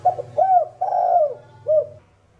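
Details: Spotted dove (local name cu đất) singing the thổ đồng style of cooing, meant to stir up other doves. Four low hooting coos: two short notes, one longer drawn note, a pause, then a final short coo. Faint low hum underneath.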